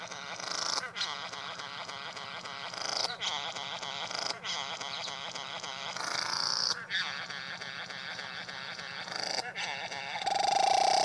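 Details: A male Satin bowerbird performs at his bower to court a female, including mimicry; long stretches of grating mechanical buzzing with sharp breaks, ending in a clear sustained whistled tone.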